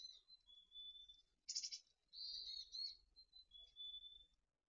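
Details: Mountain chickadee near a nest in Truckee where six nestlings fledged on June 26–27, 2020, early morning: high steady whistled notes broken by a short harsh buzzy burst, then a warbled note and more level whistles, quiet background.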